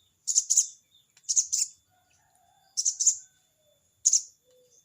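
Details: Crested jay calling a rival with its 'crecet cerecet' sound: doubled scratchy, buzzy bursts, then a single one, roughly one per second. A faint low whistle hovers in the background.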